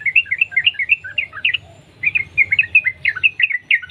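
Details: Wild sooty-headed bulbul singing in the continuous 'sambung ropel' style, used as a lure to get other bulbuls singing: dense bubbling chirped notes in quick runs, one short pause midway, low hum beneath.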